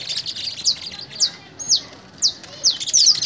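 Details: Canary at a fogueo song-training session in Pelaya, Cesar, giving sharp high descending chirps spaced irregularly over a faint background of other birds' twittering.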